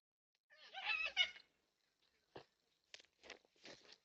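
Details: Yellow-tailed black cockatoo among four at a backyard feeder in NSW, Australia, caught on a security camera: one rasping, wavering wail of about a second, then scattered short scratchy chips and knocks.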